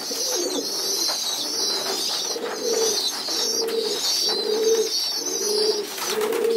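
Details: Pigeon youngsters in a loft, walking and fed as a group on the floor, keep up a continuous high wheezy begging hiss alongside rhythmic low cooing pulses roughly every 0.8 seconds.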